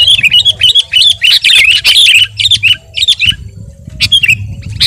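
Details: Energetic Sooty-headed bulbul song meant to stir other birds: choppy warbled phrases in quick bursts, gaps after three seconds, then scattered single notes over a soft low rumble.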